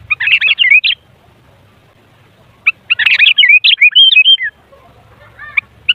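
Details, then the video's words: Sooty-headed bulbul sound used as a lure to excite bulbuls into song. Two dense bursts of rapid, bubbly chattering phrases with a faint low rumble beneath. "Suara Burung Kutilang Ampuh Buat Pancingan Jadikan Kutilang Ribut Gacor"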